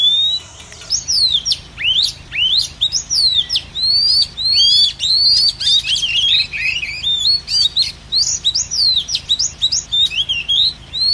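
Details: Female Oriental magpie-robin sound used to lure wild birds into a trap: a long, busy stream of sharp, sweeping chirps and twitters, steady and continuous throughout.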